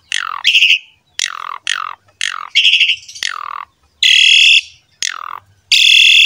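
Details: Asian pied starling in gacor form, a masteran track meant to prompt other starlings to sing: harsh, rasping descending squawks alternate with long buzzy screeches, about half a second each, separated by short gaps.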